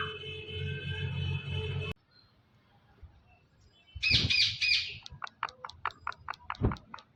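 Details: A talking Indian ringneck parrot gives a harsh triple screech, then a rapid series of sharp clicking ticks, roughly three or four a second. A steady droning tone fills the opening two seconds.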